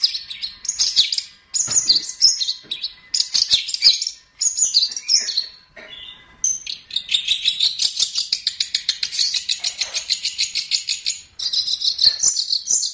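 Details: Long-tailed shrike (pentet or cendet) in a training song for other songbirds. Varied high scratchy bursts, brief gaps, then a long rapid rattling trill and more squeaky chatter.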